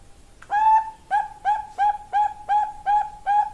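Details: Female zebra dove, Bangkok strain, calling to a male: after a brief faint tone, eight crisp, hollow cooing notes follow in a rapid, even string against a quiet background.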